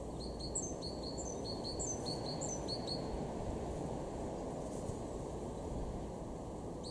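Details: Garden great tit at Weener, East Frisia, far northwest Germany, March 2023: about three seconds of quickly repeated high double notes, then only steady low background noise.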